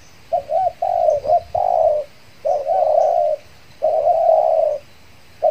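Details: Decoy spotted dove, recently finished molting, calling to attract wild doves in Riau Islands. It gives soft, low repeated coos: a quick two-part rolling note and then a drawn-out purring coo, about every second and a half, with quiet pauses.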